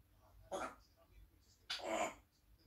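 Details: Pet African grey parrot indoors, looking out a window while chatting and eating grapes; two short speech-like utterances, the second longer and louder, separated by about a second of quiet room hush.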